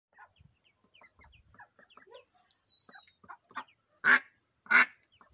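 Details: A female mallard with her day-old ducklings: soft, rapid peeping and chattering, likely from the ducklings, then two loud, harsh quacks near the end.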